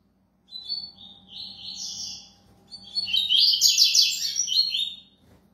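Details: Coleiro velocista, a double-collared seedeater, singing a fast, high warbled phrase that builds into a dense, rapid trilling burst before stopping abruptly, over a faint background hum.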